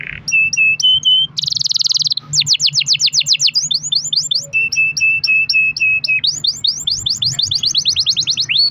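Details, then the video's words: Canary song for prompting other canaries: paired high pips, a dense loud buzzy burst, then long runs of quick falling whistles interspersed with clipped double notes, over steady low hum. "kenari gacor ROL PANJANG buat pancingan kenari agar bunyi"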